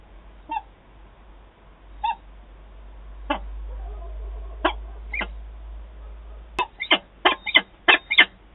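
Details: Adult pair of peregrine falcons meeting at Wałbrzych, Poland, on 11 September 2022: a few harsh, scattered calls at first, then a quickening run of loud rasping notes toward the end over a low steady hum.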